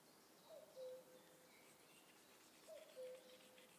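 A distant common cuckoo gives its soft, falling two-note 'cu-coo' twice, about two seconds apart, over faint insect hum and rural background noise.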